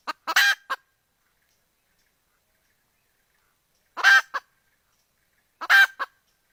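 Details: A hen calling for the rooster gives three widely spaced bursts, each a brief cluck leading into a loud, rasping, drawn-out squawk, with long silences between them.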